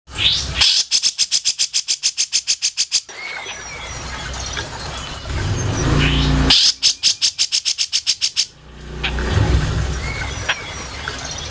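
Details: Grey-cheeked bulbul used as a mastering recording for songbirds: two bursts of rapid, harsh repeated notes, about six per second, with a low rumble and faint background chirps between the bursts.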